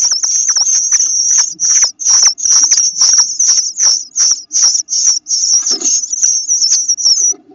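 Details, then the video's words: Eastern Bluebird nestlings whose eyes have started to open make a new sound: thin, high, hissy peeping in short strained bursts, two or three a second with brief gaps. "Eyes have started to open and they are making a new sound when they peep"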